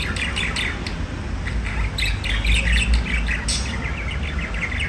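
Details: Budgerigars chirping in quick scratchy notes, roughly two or three per second, in an uneven chattering pattern over a loud low rumble with some thumping.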